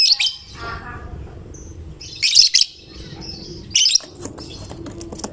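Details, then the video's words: Lovebird of the fighter type, vocal enough to start others singing: three bursts of shrill, rasping chirps spaced over several seconds, with faint twitters and low background noise. "Lovebird GACOR Fighternya Memancing LB manapun Ikut Bunyi"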